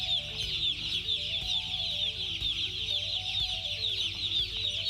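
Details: Many broiler chicks peep loudly and continuously. Their shrill, quick chirps blur into an unbroken high chorus above a faint, steady low hum.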